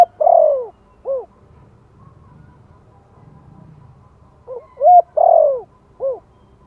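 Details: Lure cooing of a spotted dove in the Thổ voice, for encouraging newly caught birds to call: the tail of one phrase, a long falling coo and an end note, then after a pause a full four-note low phrase.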